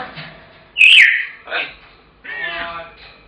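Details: Pet African grey parrot shouting on its owner's return home until it gets its food: a loud, piercing whistled squawk, then a shorter harsh cry and a raspy, buzzy call, indoors with little else heard.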